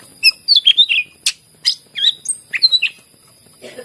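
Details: Greater green leafbird in lively song used to prompt other leafbirds to sing: quick bursts of high whistled and chirping notes, some sliding down, delivered in clusters with short pauses, plus a steady faint high hum.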